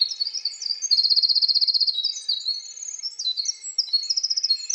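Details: Winter wren song: a long, rapid, high tumbling cascade of tinkling notes and fast trills, with a steady buzzy trill held through the middle before more jumbled warbling runs.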